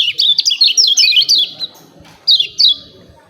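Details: Lemon-bellied white-eye, known locally as kecial kuning, giving 'ciak ciak' phrases used to provoke singing: a fast string of high slurred chirps for about a second and a half, a pause, then two more sharp notes.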